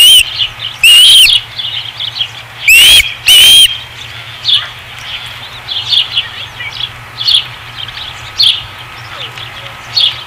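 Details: Osprey at the Dunrovin Ranch nest on 5 August 2016: a few loud, rising whistled calls early on, followed by a long sequence of quiet, spaced chirps.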